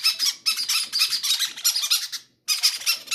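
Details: Hungry baby parrots, each wanting to eat first, give an almost continuous run of rough, rasping squeals that pulse several times a second, then break off briefly and resume.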